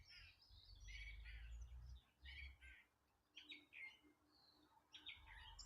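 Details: April birdsong, with birds gradually starting to sing: several bright, jumbled twittering phrases and short whistled notes at mid-high pitch, one after another, over a low rumbling noise in the first half.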